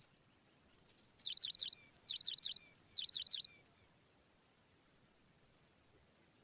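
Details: Pipit nestlings being fed by an adult. Thin, high chirps come in tight clusters of three or four, roughly one cluster per second, followed by softer scattered peeps.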